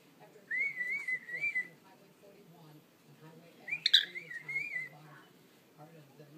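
A parrot gives two clear, warbling whistled phrases, each about a second long, with a pause of two seconds between them. A faint low murmur sits underneath.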